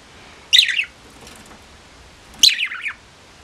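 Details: Old pet budgerigar, treasured by the owner's late mother, giving two harsh, rasping calls that slide downward, about two seconds apart, in a quiet room.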